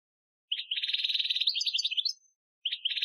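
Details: European goldfinch singing an Algerian training song from 2015, a dense rolling buzzy trill breaking into quick rising and falling twittered notes, then a new trill starting after a short gap.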